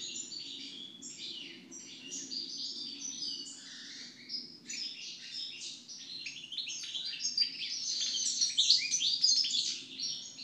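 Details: European goldfinch singing after moult: a long run of fast, liquid twittering and tinkling notes, dense and varied, with brief buzzy slurs and a steady low hum underneath.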